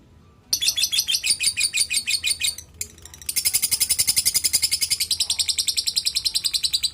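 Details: Lovebird calling in rapid, high-pitched chattering bursts, a steady run of shrill notes at about three per second, briefly pausing, then resuming in a denser continuous twittering series.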